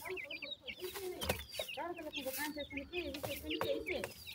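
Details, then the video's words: Teetar chicks, grey francolin, quarrelling with the mother after feeding: repeated high cheeps over a lower, harmonic, wavering call, with sharp clicks and scuffles throughout. "pheasant bird chicks fight with their mother after feeding,baby teetar"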